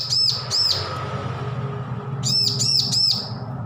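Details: A bar-winged prinia just off hand-feeding tries out its song: two high arched chirps, a pause of more than a second, then three more rapid swooping notes, with a steady low hum behind.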